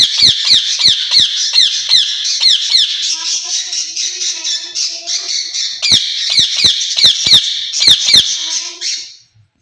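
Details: Caged rose-ringed parakeets, a pair said to be speaking to each other in Urdu or Hindi; loud, rapid, piercing screeches run throughout, with a faint low voice-like murmur beneath them in the middle.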